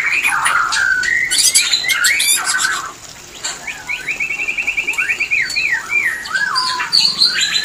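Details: White-rumped shama mating call to bring shamas into breeding condition: whistled phrases and clicks, then a long even buzzy trill and swooping whistles repeated in quick succession.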